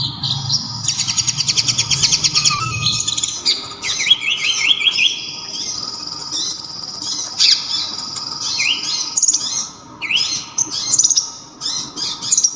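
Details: Local kolibri ninja sunbird, its voice described as very loud, sharp and very clear: a rapid buzzy trill opens, followed by thin high whistles, quick rising slurred notes and scattered sharp squeaks.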